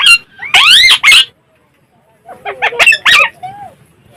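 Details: Loud harsh squawks and screechy calls from a pet Alexandrine parakeet, two strong bursts, a silent gap, then a rapid cluster of rasping notes fading into a softer call.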